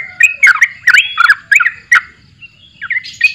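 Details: Short borak barik phrases from a sooty-headed bulbul: a handful of bright, liquid whistles with quick twists, then a brief lull and a thinner, higher closing note.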